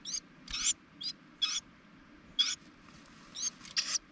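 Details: Carolina wrens at a nest built on top of a propane tank in spring, the mother feeding her young; short raspy high bursts come in uneven clusters, some paired, with a faint low hum beneath.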